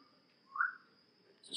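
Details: A Northern Bobwhite (quail) on a regeneratively grazed farm landscape gives one clear, upward-slurred whistle over a steady high electrical-sounding tone, followed by a short rustle or thump.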